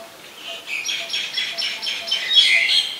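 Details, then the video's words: Oriental magpie-robin singing in Ubon Ratchathani, Thailand, on 17 November 2021, recorded with a Nikon P1000; a steady run of about nine short, slurred whistled notes, repeated roughly three per second, growing louder toward the end over faint background hum. "นกกางเขนบ้าน Oriental Magpie Robin (singing)"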